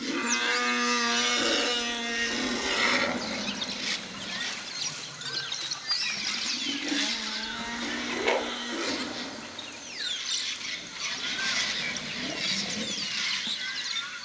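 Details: Congo African grey parrots (Psittacus erithacus erithacus), a flock flying through a forest clearing at Dzanga Bai, Dzanga-Ndoki National Park, Central African Republic, give overlapping whistles, squawks and harsh nasal calls.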